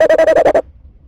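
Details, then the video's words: Tawny owl in January, calling as it looks in: a brief rapid run of about seven evenly spaced pulsed notes at a steady mid pitch, ending abruptly into quiet. "Jan19 Tawny looking in Calling"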